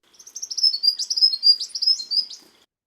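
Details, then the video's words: An Eastern Spinebill, a honeyeater, singing a typical songbird song: a rapid, high-pitched run of piping notes, sweet and slightly wavering, lasting about two seconds with no other sounds. "So some species will have quite typical songbird sounds, such as the eastern spinebill."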